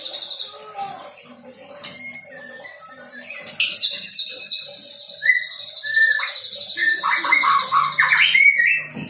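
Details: White-rumped shama, a young bird fresh from the fledgling stage, working through learned song material: soft scattered whistles at first, then a loud burst of rapid sweeps, buzzy trills and varied whistled phrases.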